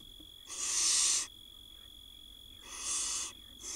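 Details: Hungry barn owl chicks, fed by their mother in an Israeli nest box in 2022, give rasping, wheezy hisses, one long burst, then a shorter one after a pause, with a steady background hum.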